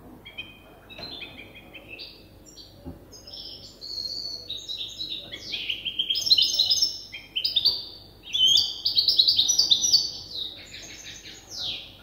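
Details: A young European goldfinch hybrid, still learning its song from an older goldfinch hybrid, sings a rambling, high twittering song of quick tinkling notes and buzzy trills, still unfinished; nothing else is heard.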